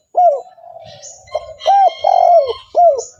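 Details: Spotted dove cooing to lure other doves: loud arched coo, a soft wavering passage, then a run of strong falling coos, including one long drawn-out note, over faint high steady tones.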